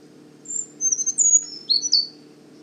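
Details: A male Brown Creeper (only males sing), a year-round resident at Manchester Cedar Swamp Preserve in southern New Hampshire, gives its very high, thin song: a sustained opening note, then a quick jumble of descending and rising notes, over a faint low hum.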